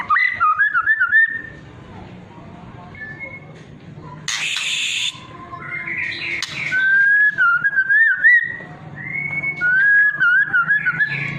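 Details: Whistling trotol and pastol phrases of a White-rumped shama, played as a lure so other shamas respond and sing; wavering, looping whistles in short bursts, a harsh noisy burst near the middle, then more sliding whistles.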